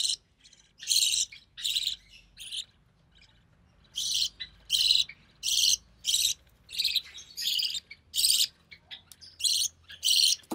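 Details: Recessive pied budgerigar chick hatched in early June 2020, fed by its albino red-eye mother; a long series of harsh, scratchy rasps repeated more than once a second, broken by a short pause.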